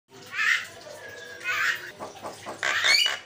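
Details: Wild Javan myna singing loudly in the open, giving loud, harsh, grating squawks in three bursts about a second apart, with rough chattering notes between them.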